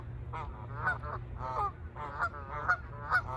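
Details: Canada geese taking off, calling in a rapid run of nasal, harmonic honks about twice per second, several birds overlapping, with a low rumbling hum underneath.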